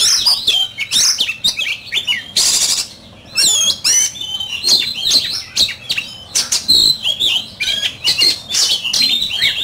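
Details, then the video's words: Oriental magpie-robin, a kept songbird in a singing competition, delivering loud varied whistled phrases, sweeping slurs and sharp chirps in rapid succession with short pauses, one burst of noisy rasp midway. "Chòe Than,Bộ Đẹp,Hót Đấu Căng Lửa."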